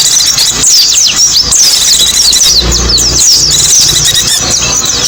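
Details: White-eye song used to lure small birds, heard as bright, high, rapidly repeated chirps and trills from several birds overlapping, with a brief low rumble midway.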